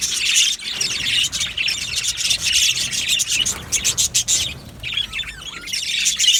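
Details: Budgerigars chattering in an aviary colony, bursts of bright chirps and scratchy warbling that swell and fade in waves, softer toward the middle and louder again at the end.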